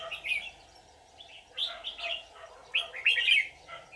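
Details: On a trapping day in July 2019, a white-cheeked red-whiskered bulbul decoy calls in wild birds with quick, chattering, whistled phrases in four loud bursts over a constant low background drone.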